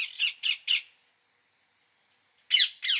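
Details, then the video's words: Indian ringneck parakeet giving three quick raspy squawks, a silent gap of over a second, then two more loud shrill screeches. "parrot sound | ringneck"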